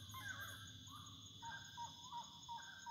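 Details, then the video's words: Wood rail at nightfall giving short, nasal, repeated call notes, several in quick succession. A constant shrill insect drone runs underneath. "O canto da SARACURA na boca da noite"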